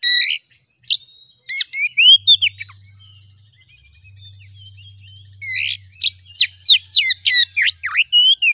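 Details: Oriental magpie-robin (kacer) song used as a provocation sound to rouse another kacer into agitated singing: loud bursts of sharp, steeply sliding whistles and chattering notes in fast runs, a quiet gap midway, over a faint low hum and steady high whine.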